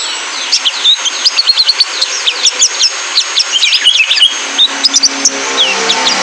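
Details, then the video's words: Male brown-throated sunbird (kolibri ninja) song used as a lure to train caged birds to sing: rapid, high thin twittering with sharp rising and falling chirps packed closely together, steady faint hiss underneath. "PANCINGAN KONIN JANTAN BIAR GACOR FULL MATERI MELATIH BURUNG KOLIBRI NINJA"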